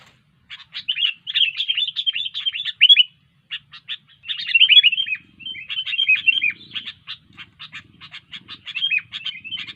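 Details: Sooty-headed bulbul in lively full song, giving dense bursts of rapid twittering notes separated by short pauses, then a long run of clipped, evenly spaced chips; a faint low murmur sits in the background.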